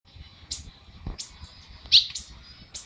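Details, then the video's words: Monjita starting to sing: a few sharp, high chirps spaced about half a second to a second apart, with a low background rumble. "monjita empezando a cantar"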